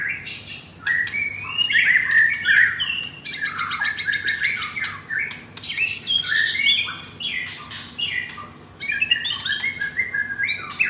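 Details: Caged F4 blorok white-rumped shama, Jakarta, Indonesia, delivering coarse-material song: mellow whistles give way to long rattling trills and harsh, buzzy bursts, uneven rhythm with rapid note repeats throughout.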